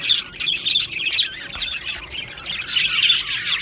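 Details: Budgie colony chatters in uneven bursts of high chirps and squeaky warbles, dipping briefly in the middle before several birds call together again.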